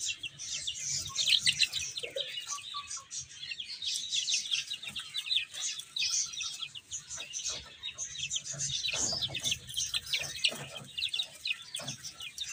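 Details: Chicks eating and playing, heard as a steady flock chorus of thin, high peeps repeated rapidly and overlapping, with faint low tapping and rustling underneath throughout.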